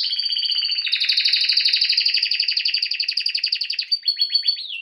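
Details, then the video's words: Serinus canaria singing, a training canary: a long rapid pulsing trill that speeds and thickens over several seconds, ending in short descending chirps. "Bird song | Canary singing| training bird | best canary | Serinus canaria"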